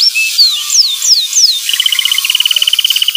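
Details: Canary phrases for training a young canary's ngeriwik song: several descending whistled slurs, then a fast, evenly repeated chip trill lasting over a second, with background hiss.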